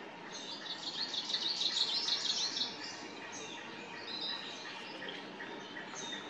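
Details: Arctic warbler song from an unseen bird among forest trees, 29 May 2022: a rapid, regular trill of sharp high notes lasting about two seconds, then quieter scattered chirps from other birds over a soft hiss of forest background.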